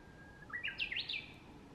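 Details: Japanese bush warbler, a bird usually heard but rarely seen, singing in the southern foothills of Mount Nangu on 30 April 2022 amid spring foliage: a long steady whistle followed by a quick rising and falling flourish of bright notes.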